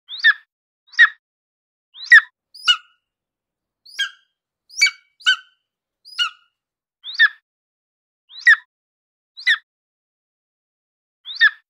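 Golden eagle giving a dozen short, sharp yelping notes, about one every second at an uneven pace, against a quiet background.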